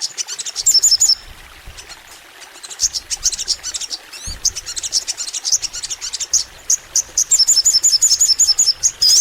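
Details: Crimson sunbird (sogon) singing long: thin high chips and ticks, with rapid bursts of sharp twittering notes at the start and end.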